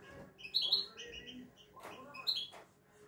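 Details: European goldfinch, a kept bird praised for a good, unflawed song of the 'şak şaklı' style; two short bursts of bright, high chirping notes about two seconds apart, with faint clicks and low background hum between them.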